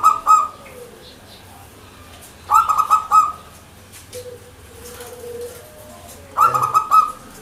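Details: Local zebra dove in full, vigorous cooing song: three bursts of quick, staccato, bubbling coo notes in a mid pitch, each lasting about half a second and spaced a few seconds apart, with a faint low hum between them.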